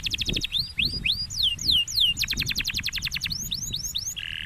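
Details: Canary song, presented as a champion bird whose voice silences other canaries within thirty seconds: fast buzzy trills alternating with rapid series of high downslurred whistled notes, ending in a short flat tone, with low rumbling background noise.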